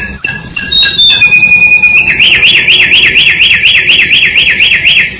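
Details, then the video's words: A samyong bird gives a short series of clear descending whistles, then a fast, bright warble wavering up and down about four times a second; used as a tutor song for songbirds. "Suara burung Samyong"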